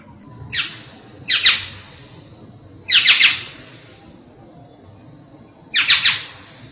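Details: Black-naped oriole (Oriolus chinensis) giving harsh, nasal, scratchy squawks, single or doubled, spaced irregularly a second or more apart against a quiet background.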